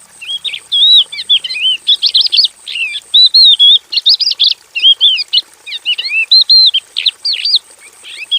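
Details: Aviary-kept Javan bush lark pouring out a varied 'gacor' song of sharp high whistles, wavy slurs and scratchy buzzes, delivered in dense fast groups with short silences.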